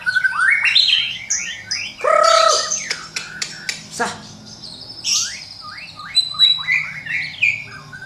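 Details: Medan White-rumped shama in loud varied song used as a morning training lure: quick rising whistles, a harsh buzzy squawk, sharp clicks, then a run of short, evenly spaced upward-slurred notes.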